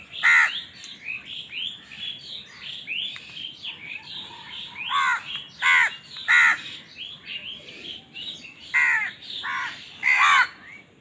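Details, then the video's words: A busy crowd of crows fighting for food: continual low chatter of caws beneath repeated loud, rasping caws that stand out every second or two. "Crow Bird Crowing Sound || Crow ki Awaz part 68 || Crow Bird Fight for Food"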